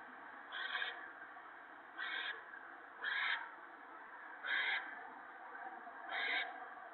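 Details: Evening nest scene on March 28, 2017, an owl feeding gopher to its owlets: five rasping, hissing screeches, each under half a second, spaced roughly every 1.3 seconds against a faint constant hiss.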